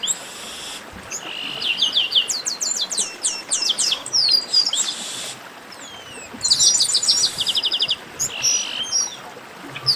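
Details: Chestnut-capped blackbird (garibaldi) 'baderna': long bursts of rapid, high staccato notes from several birds, with looping whistles and chatter rising and falling in intensity.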